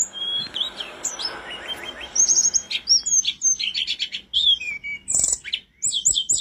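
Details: Mountain flowerpecker (tledekan gunung) singing energetically as a training recording for songbirds: high, thin whistles and sharp chirps, many short rising and falling notes near the top of hearing, with quick buzzy clusters toward the end.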